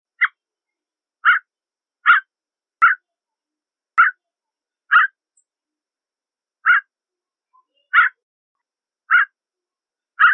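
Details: Canada jay, also known as gray jay, repeating a short, mid-pitched, slightly harsh note about once a second, ten times, with a few uneven pauses. The background is quiet and free of other sounds.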